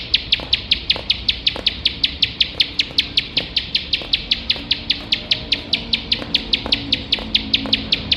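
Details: Bar-winged prinia, known locally as ciblek sawah, in a recording for training competition birds: a steady, unbroken train of about forty-five short, high, piercing notes, roughly five a second, over a quiet low hum.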